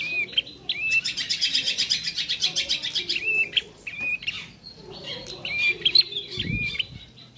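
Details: Young bar-winged prinia rehearsing song: a couple of curled whistles, then a fast buzzy rattle lasting about two seconds, followed by more scattered high whistled notes and a soft low thud near the end.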